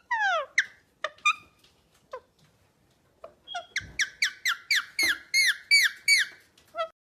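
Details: Vocalizing parrot opens with a long descending whistle-like cry and a few sharp squeaks, falls quiet, then launches into a fast string of ringing, downward-sweeping harmonic squawks.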